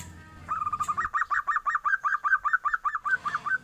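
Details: Young zebra dove giving a startling 'ombyokan' call likened to a duckling's voice: a fast run of about fifteen short, clipped notes, each rising then dropping, after a brief low background rumble.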